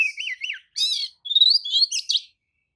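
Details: Oriental magpie-robin lure song used to trigger replies from rival birds: wavering whistles, a dense buzzy chord, then rising, bubbling whistled phrases, followed by silence.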